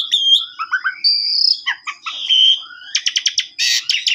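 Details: Asian pied starling song, a varied run of whistles, slurred notes and fast bursts of sharp chattering, bright and high-pitched throughout. The song is used to prompt a sulking starling that won't sing.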